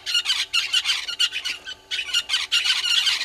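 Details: Red-billed hornbills at Gowrie dam waterhole, Djuma Game Reserve, Sabi Sand, South Africa, 06:08 on 20 March 2022: harsh, clucking notes in quick bursts with a short pause midway, filling the early morning.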